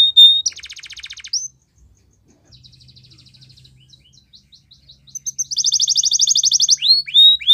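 A Belgian canary sings high, rapid rolling trills and clear whistles. A quiet stretch of soft ticking leads into a loud, fast trill ending in rising whistled notes.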